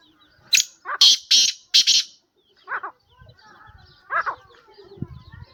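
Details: Black francolin (kala teetar), a kept bird, gives a quick series of four loud, rasping, harsh bursts, followed by scattered softer chattering notes and low background rumbles.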